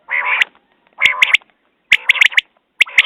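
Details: Close common quail calls: a rich nasal note, then a phrase of two or three sharp, clicking notes. The sequence repeats twice within a few seconds.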